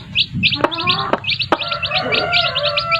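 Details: Domestic chicks with their mothers: rapid high peeping chick calls in quick bursts, a few sharp clicks, and lower drawn-out tones from the hens underneath.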